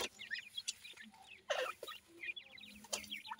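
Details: Grey francolin chicks feeding, calling in quick bursts of high, squeaky, up-and-down chirps, with sharp knocks and pecking-like clicks between the bursts.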